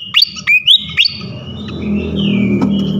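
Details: A few loud, rising whistled notes of a flycatcher used as a lure to provoke others. They are followed by a long, falling whistle over a low background rumble.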